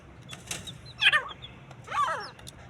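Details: Fighting partridge giving two rasping calls that drop steeply in pitch, about one second apart, between quieter gaps with soft rustling and a thin distant chirp.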